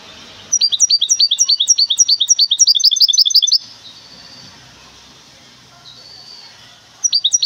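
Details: Goldfinch hybrid, caged, from Temara in Morocco: a three-second run of sharp, falling chirps that speeds up toward its end, then faint room noise and a short new burst.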